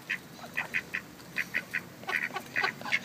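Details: A female Mallard quacks ceaselessly while eating crackers, with the quieter male standing by: short nasal bursts, about a dozen in three seconds, some clipped into quick doubles, over faint background hiss.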